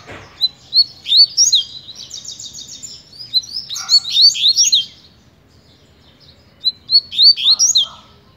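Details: Fast-style song of a double-collared seedeater, quick slurred whistles leading into a rattling trill and a dense tumbling phrase, a pause, then another burst of bright upslurred notes.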